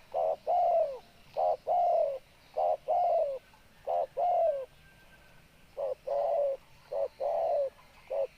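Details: Spotted dove cooing steadily: a short low note, then a longer mellow coo that slurs downward, paired phrases repeating roughly every 1.3 seconds with brief pauses, over a quiet, still background.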